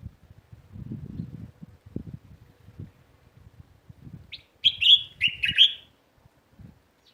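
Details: In a neighbourhood garden, sparrows give one lively run of four or five quick, high chirps after a few seconds of soft low rustling and handling noise.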